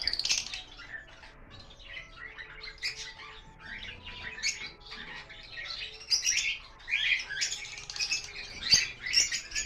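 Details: Lovebirds kept on a bird farm, including lutino and Fischer's lovebirds, giving dense, overlapping high chirps and squeaky tweets that continue throughout, with louder bursts in the second half and a faint steady hum underneath.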